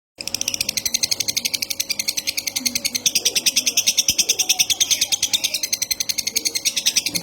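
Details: Bird gaping for food (manggap), giving a rapid, steady stream of high, thin begging notes repeated many times a second with a soft hiss between them, continuing without pause.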